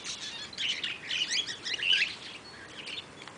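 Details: Eastern rosella (Platycercus eximius) at Velserbeek giving a fast, busy chatter of high, squeaky and metallic notes over about two seconds, then a few scattered chirps.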